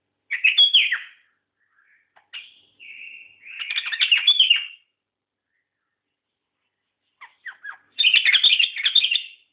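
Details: White-eared bulbul, a seven-year-old bird described as rarely found, giving bursts of chattering, warbling notes around mid-high pitch in three phrases separated by pauses, with a short steady whistled note between the first two bursts.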